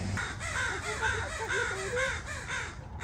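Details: Crows calling while a woman tries to return their fledgling to them; rapid series of harsh, rising caws, about six in three seconds, over steady background noise.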